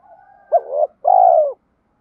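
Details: Single spotted dove lure phrase, used to spur newly caught birds to sing and fight. A soft lead-in note, then a stuttering low double coo and a long, smooth coo that sags in pitch at the close.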